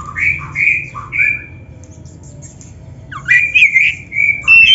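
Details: Oriental magpie-robin in a caged-bird training recording: harsher, lower squawking notes and short slurred whistles in two bursts separated by a quiet gap of about a second and a half.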